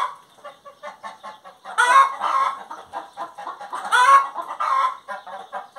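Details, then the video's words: Singing hen, soft rapid clucks build into two loud harsh cackles about two seconds apart, each trailing into clucking, then soft clucks again. "Galinha Cantando"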